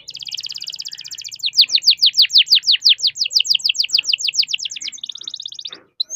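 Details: Canary in long song, meant to prompt other canaries to sing: a dense buzzy trill, then a long regular series of descending sweeps about four per second, ending in a fine rattling trill.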